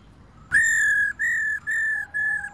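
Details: A female laughingthrush, calling to stir males, gives four clear, steady whistles in quick succession. Each is about half a second long and level in pitch, against a quiet background.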